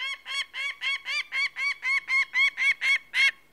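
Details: Peregrine falcon: a quick series of grating, nasal kek notes, nearly four per second, growing slightly louder toward the end.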